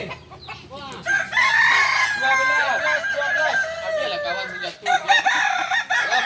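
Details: Kokok balenggek roosters at a group practice in Solok crowing in a loud overlapping chorus of wavering, stepped phrases, rising in intensity after the first second and continuing to the end.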